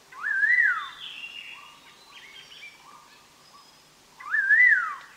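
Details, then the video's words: Collared laughingthrush singing for use as a trapping lure: two loud whistled phrases, each rising, wavering and dropping away, about four seconds apart, with softer calls from other birds between them. "Chim Khướu đầu đen má xám hót hay"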